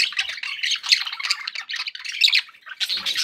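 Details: Pet budgies chirp and warble busily in happy company, scratchy squawky notes running on with little pause.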